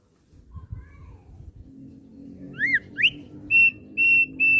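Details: Captive thick-billed heleia singing: faint soft notes over a low hum, then two loud falling slurs and three level, sustained pure whistles spaced about half a second apart.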